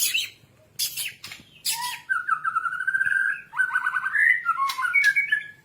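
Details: White-rumped shama song used to train captive birds: bursts of scratchy noise, then a long fluid warbling phrase of quick, trilled whistles that rise and fall.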